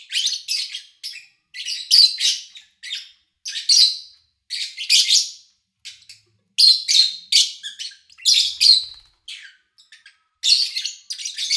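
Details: Recorded over three days in August 2019 with little engine or human sound, lovebirds give a steady stream of harsh, scratchy chirps, mostly in doubled or tripled bursts, around twenty bursts across eleven seconds.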